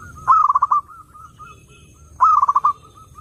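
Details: Perkutut, the zebra dove, singing to lure other doves: two loud rolling trills of quick cooing notes about two seconds apart, each trailing into softer spaced coos.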